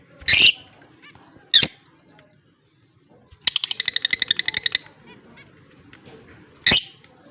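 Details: Lovebirds, a blue personata and an albino, recorded October 25, 2023: sharp piercing shrieks at intervals, plus a fast rattling run of pulsed chirps in the middle, with quiet gaps between.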